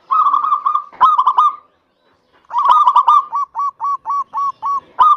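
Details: Singing local zebra dove, meant to prompt other doves to sing: a rapid trilling run of coos, a brief gap, then a rolling burst slowing into evenly spaced curled notes about three per second.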